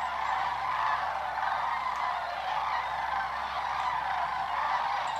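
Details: Sandhill cranes migrating south, circling slowly in flocks low overhead in Georgia and Tennessee; a steady chorus of many rattling, trumpet-like calls layered over one another, evenly loud from start to finish.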